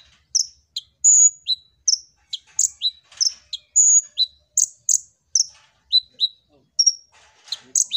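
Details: Kolibri ninja (Purple-throated sunbird) in full, busy song, used to lure other birds into singing. Rapid high-pitched chirps, sharp downslurs and brief sustained whistles follow one another almost without pause, irregular in rhythm. No other noise.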